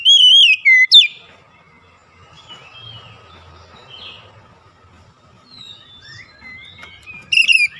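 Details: Oriental magpie-robin song used as a lure to make lazy, non-singing magpie-robins sing: a brief loud whistled phrase with a sharp final chip, faint distant chirps in the middle, then another loud whistle at the end.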